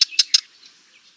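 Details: Sardinian warbler giving three short, harsh, clicking call notes in quick succession over half a second, then quiet with only faint background sound.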